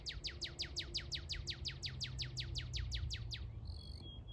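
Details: Northern cardinal singing a fast series of about eighteen steeply down-slurred whistled notes, roughly four per second, likened to Star Wars sound effects, ending in a brief higher buzzy flourish; low rumbling background noise throughout.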